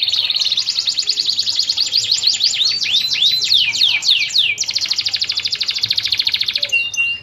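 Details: Canary giving a long rolled song, used as a lure to get moulting canaries singing. It has high, rapid trills of repeated notes, some sweeping down in quick arcs, and ends in a fast buzzing roll with a few sharp chips.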